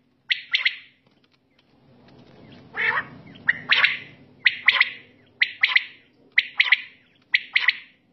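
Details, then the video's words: Repeated night calling of a quail, crisp paired and tripled notes coming about once a second, seven or so phrases, with a brief patch of low rumbling noise near the start. "Raat Battair Sound Ek Saath"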